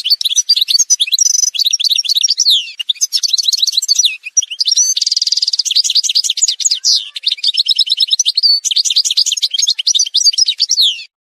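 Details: Algerian goldfinch in continuous song for over ten seconds, a dense, fast medley of bright twitters, jangling trills and a buzzy nasal stretch midway, with hardly any pause, taken from a montage recording.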